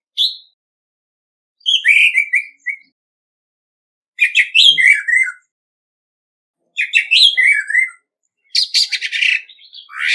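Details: Orange-headed Thrush decoy bird singing competitively, recorded free of background noise: short phrases of clear slurred whistles that fall in pitch, each about a second long, separated by pauses of one to two seconds, with a scratchy ending note.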